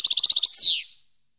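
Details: Song fragment of a European goldfinch, for training captive birds: a quick series of about eight repeated high chirps, then one loud falling buzzy note that fades out.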